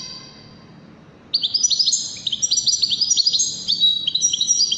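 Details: Wedani-style European goldfinch song from Morocco: after a quiet start with faint background hiss, a steady stream of tinkling, chattering twitters with rising notes.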